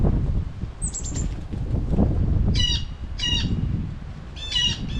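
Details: Blue jays in late fall at a feeder, giving harsh, nasal jay calls, three loud rasping bursts in the second half, over steady low wind and rustling with a faint thin whistle early on.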